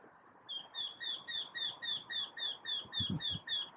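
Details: Eurasian wryneck singing from the top of a tree: a steady series of about twelve nasal, slightly rising 'kee' notes, roughly four per second, high-pitched with ringing overtones; a few low thumps near the end.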